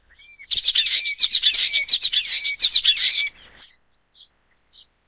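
Common waxbill giving a dense burst of high, buzzy, nasal chatter for about three seconds, followed by a few faint short chips.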